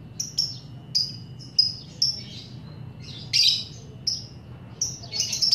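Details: Lovebird making scattered high squeaky chirps and a harsher squawk, recorded as a lure to get other lovebirds singing in the long ngekek style; notes spaced irregularly over a faint low hum.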